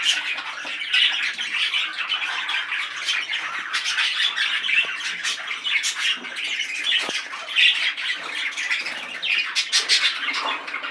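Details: Agitated male budgerigar singing in a small room: continuous scratchy warble of squawks and chirps, steady loudness for eleven seconds, occasional sharper clicks.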